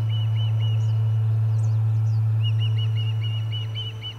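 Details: Osprey at its Charlo nest on 30 July 2020 during a noisy fish delivery: a few piercing chirps, higher thin squeals, then a renewed rapid string of whistled chirps over a low droning hum.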